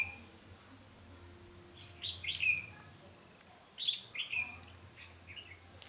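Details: Trapping decoy red-whiskered bulbul, 20 November 2015, gives two short bursts of rich slurred whistles about two seconds apart, otherwise quiet with low hum.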